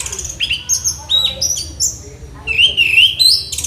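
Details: Orange-headed thrush in song-master training, pouring out quick high whistles and ringing slurred phrases, ending in a wavering trill-like warble, over a faint steady low hum.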